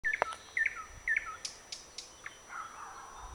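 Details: Thrush nightingale singing from the branches of a blooming bird cherry on 21 May 2009, giving short whistled, slurred notes repeated about every half second, then softer scattered notes.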